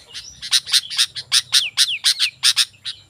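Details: Sooty-headed bulbul singing energetically as a lure for wild bulbuls: loud grating notes in quick pairs, several followed by a clear descending whistle slurring downward.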